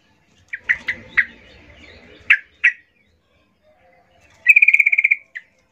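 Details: Yellow-vented bulbul female calling to males, used as a lure: several scattered harsh chips and squawks, a silent gap, then a rapid, even rattling trill of about ten notes ending in a single chip.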